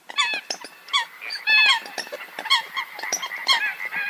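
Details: Eurasian coot calls, many nasal, honking notes in rapid overlapping succession, some louder and more drawn out, others short and clipped, forming a constant chatter.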